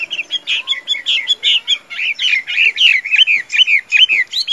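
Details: Chinese hwamei, a tame bird known for good singing and fighting, pours out rapid, rich whistles mixed with slurred chattery notes, roughly two to three phrases each second in a continuous flow.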